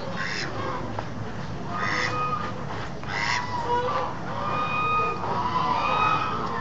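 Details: Domestic ducks calling: repeated nasal, honking quacks at irregular intervals over a constant noisy background.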